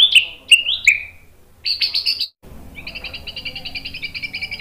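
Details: White-rumped shama song for training: three short bright whistled notes dropping in pitch, a burst of harsh chatter, a brief gap, then a steady two-toned pulsing trill.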